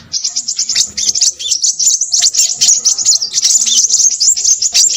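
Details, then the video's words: A crimson sunbird twitters busily, its very high, rapid notes running together into a sharp, jittery trill with a few slurred squeaks mixed in. "burung sepahraja ribut"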